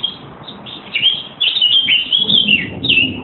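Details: Birds singing at Easter 2014 in trees on railway land behind a house in Putney; high twittering and short warbled phrases, with faint chirps early, then denser bursts after one second, over a low background rumble.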